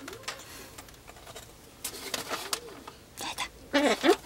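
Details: A pet Ducorps's cockatoo lying down in its cage, behaviour the owner thinks occurs in breeding season, makes soft, arching coo-like murmurs, then a louder, sharper pair of squawky notes, with scratchy rustling between them.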